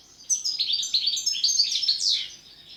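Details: European goldfinch singing a song in the style called pletivo ziju u ziju stanka: a dense, fast run of high, tinkling twitters and buzzy trills, ending in a brighter, harsher rising note.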